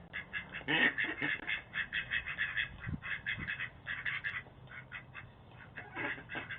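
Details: Several ducks squabble outside a front door in Boise, recorded by a doorbell camera; a loud flurry of raspy quacks opens the recording, followed by steady rhythmic nasal quacking that fades, then picks up again, with a faint background hum.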